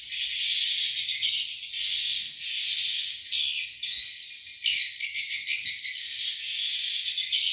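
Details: Many swiftlets in a swiftlet house during breeding season, with nests holding eggs and chicks, chirp and twitter over one another in a dense, high-pitched chorus of rapid, overlapping calls.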